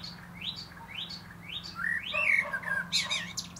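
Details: A common blackbird perched atop a plum tree sings a series of thin upward-sweeping notes about every half second, then breaks into rich mellow fluted whistles with a scratchy twitter at the end.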